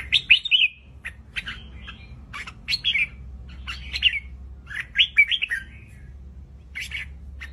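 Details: Red-whiskered bulbul (Pycnonotus jocosus) song: bright, bubbly chirped phrases of two to four quick notes, repeated every second or so, over a low steady hum.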